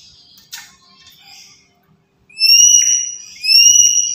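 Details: Black-capped lory used as a lure for catching birds: soft faint chatter, then two loud, clear whistled notes, each held about a second.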